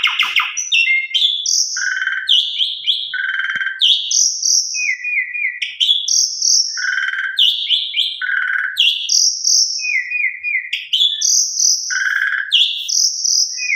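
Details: Asian pied starling training song with a repeating cycle: chattering bursts, hollow low whistles, a stuttered series and a long high whistle, the sequence recurring roughly every four to five seconds.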